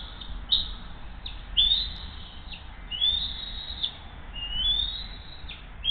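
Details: At the Hays bald eagle nest, 7:43 am on 20 June 2023, the mother feeds her eaglet after delivering a fish: scattered thin, high whistles, some drawn out and rising, others clipped, irregularly spaced.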